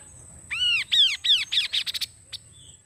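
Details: Song of a kaso-kaso bird, played to draw wild birds into singing: harsh arched notes starting slow, then speeding into short clipped bursts, ending with one sharp click, a faint steady high hum behind.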